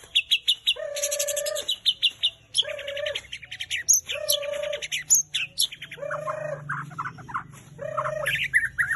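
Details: Recording to provoke captive white-rumped shamas into singing: bright trills and high chatter over a lower, steady hooting note repeated roughly every one and a half seconds.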